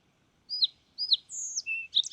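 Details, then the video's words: Opening of a fox sparrow song: two matching downward-sliding whistles, then a long clear high whistle and a lower steady note, leading into a burst of quick bright notes that is cut off. "Fox Sparrow Bird Sound"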